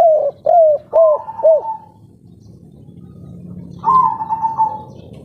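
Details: Local-strain spotted dove cooing in kuk 3 style, used as a lure for other doves: four quick arched low coos, a quiet pause with faint background hum, then a long flat whistled tone.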